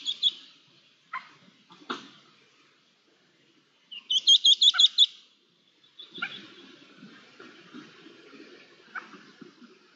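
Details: Red-legged partridges, about 12 adults with two chicks and a rabbit nearby, on 24 June 2022, give thin high chirps and a quick burst of sharp, clipped notes.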